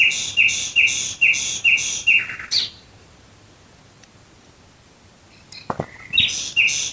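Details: Nightingale singing at night near Dresden, Germany: a run of five loud, rhythmic clicking notes about two per second, a short descending flourish, a pause of silence, then another phrase of repeated notes begins.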